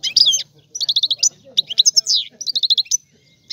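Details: Sicilian European goldfinch, rare old-style song used to stimulate other goldfinches: clustered bright twittering phrases separated by short pauses, with slurred liquid notes and quick chirps, over faint low hum.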